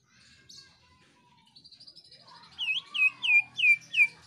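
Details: Greater green leafbird, a gacor singer used to get other birds singing: soft twitters, then a run of five loud, bright, down-slurred whistles about three per second, with a low buzzy sweep beneath.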